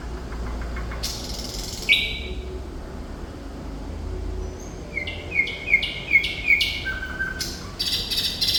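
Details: Sikatan Londo, or thrush nightingale, opens with a harsh burst and a held whistle, then a quick run of repeated bright notes, a low whistle and several loud rasping chatters, over low background noise.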